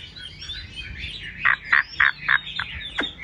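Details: Chinese hwamei in a cage gives a hissy, scratchy opening, then a burst of emphatic short notes repeated quickly and ending in two sharp downward-swept calls.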